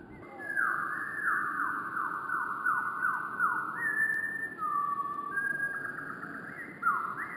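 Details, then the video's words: Wren song played back slowed down, heard as a long run of descending whistled sweeps repeated more than once a second, then steady level whistled notes and rising slurs, over a soft low background hum. "Wren Birds Singing with Amazing Slowed Down Audio - Bird Song"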